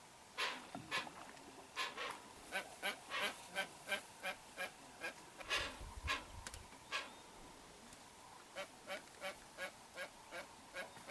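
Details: Hoatzin family, two parents with a chick, in the wild along a river, heard from a boat: a long run of rasping, honk-like calls spaced about half a second apart, with a brief low rumble midway.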